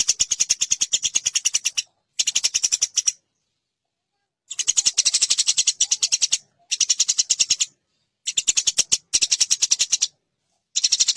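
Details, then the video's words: Eurasian tree sparrow fighting call, a master recording for training competition songbirds: bursts of dense, dry, clicking chirps, each run lasting one to two seconds, separated by short silences. "Burung greja tarung [| Suara BURGER tarung"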